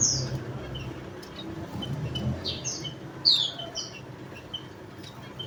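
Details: High, thin descending notes of a Javan munia, one clear strong chirp midway among fainter scattered ones, over a soft low background hum.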